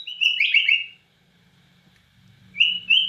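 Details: Bornean white-rumped shama in vigorous cililin-style song: a loud warbled whistled phrase, a silent second, then two clear rising whistles.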